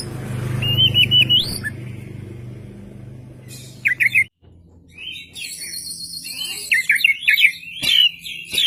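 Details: Kacer, the oriental magpie-robin, singing with tail fanned: wavering whistled phrases and rising chirp bursts above a low rumbling hum.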